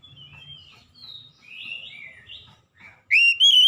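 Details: Oriental magpie-robin lure song for stirring hard-to-train birds into song. Soft, echoing warbled whistles lead into one loud, ringing, rising whistle at the end.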